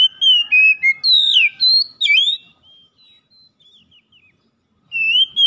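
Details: Oriental magpie-robin song, played to speed recovery of a stressed bird that has stopped singing. Loud clear whistled phrases, sliding and warbling with quick high chirps for about two seconds, then near silence, then a rising whistle returns.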